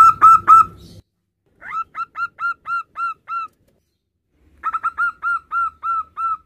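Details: Calling to its partner, a local male zebra dove gives two loud opening notes, then evenly spaced short, ringing whistled coos in bursts, roughly four per second, separated by silence.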